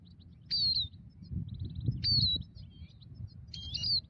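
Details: European goldfinch, a migratory bird trapped with a ground net, uttering bright, twangy descending tweets about once a second, with a brief rapid ticking series between them and steady low rumbling background noise.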